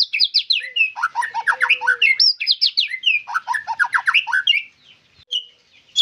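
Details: A white-rumped shama pours out quick slurred whistles and crisp descending note runs for about four and a half seconds, then falls nearly quiet, with one soft high note near the end.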